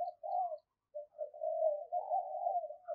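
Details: A spotted dove used as a decoy gives an almost continuous, soft, low rolling coo after a short opening phrase. Faint higher chirps are heard behind it.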